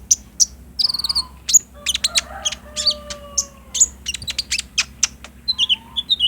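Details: Captive sunbird (konin trotol, kolibri ninja ijoan) song used as a lure to make another bird respond, recorded on a Samsung J5 for daytime playback: rapid high thin chirps and sharp trills with scattered downslurred notes, a faint low steady hum beneath.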